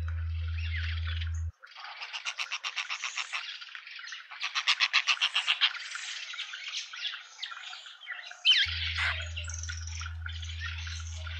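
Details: Hornbill family, a juvenile and both parents, in a Pretoria suburban garden, South Africa; two bursts of fast repeated clucking notes build and fade amid softer chatter, with low humming at start and end.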